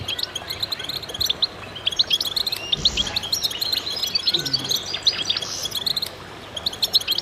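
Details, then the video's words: Concert of many goldfinches: crowded high chirping and tinkling phrases, fading for a moment near the end and then picking up again. "voices a chorus of goldfinches in concert"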